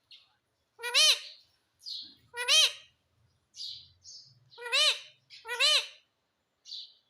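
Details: Talking pet parrot, mitthu and mummy among its words; four loud arched, nasal syllables in two pairs, mixed with short soft chirps and faint low murmurs.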